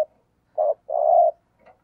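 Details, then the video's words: Decoy spotted dove's thúc gù lure coo: a single low hollow pair, a brief coo then a longer rolling coo, followed by a faint soft note. "Tiếng Chim Cu Gáy Thúc Gù - Chim Cu Mồi"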